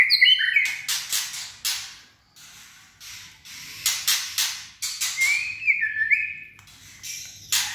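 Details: White-rumped shama, a wild-caught bird in top singing condition, delivering sharp metallic calls, short sliding whistles and harsh broadband bursts separated by brief pauses, with faint low hum behind.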